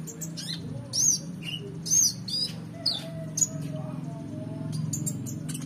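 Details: Van Hasselt's sunbird song recorded to tutor competition birds: squeaky rising chirps and short slurred notes in irregular bursts, roughly one a second, with a faint lower whistle and continuous low background hum.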